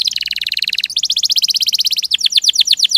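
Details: Canary in energetic ngerol (rolling) song style: a fast buzzy high trill of rapid even notes, then a slightly different steady trill, ending in a series of sharp descending whistled sweeps repeated about five per second.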